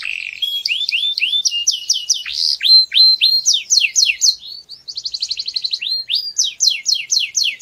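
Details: Canary song used for training young birds: rapid rolling tours of repeated high downslurred notes, about four per second, shifting to a fast buzzy trill near the end.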